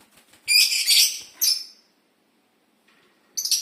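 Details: Dun fallow lovebird in an aviary gives harsh, high-pitched screechy chatter: a long burst, then a short one, a stretch of near silence, and a final burst at the end.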